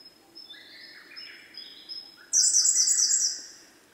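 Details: Male Siberian blue robin with thin, high drawn-out notes at first, then a loud, very high rapid rattle-like trill for about a second before fading.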